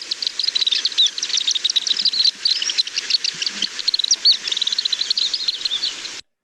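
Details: Black Swift giving a rapid, continuous twitter of high, sharp chips, several each second, over the steady rush of what is presumably a waterfall near the recording site.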